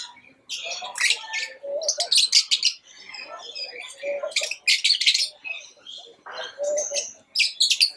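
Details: Lovebirds chirping: bursts of harsh, high, broadband chirps and squeaky notes, mixed with lower tonal squeals, in irregular clusters roughly every two to three seconds.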